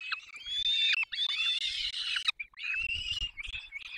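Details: Peregrine falcon chicks at the nest in the Barycz Valley on 3 May 2024, begging while both parents feed them: harsh, drawn-out screeching wails with sliding pitch, broken by short gaps, over soft low thumps from the nest.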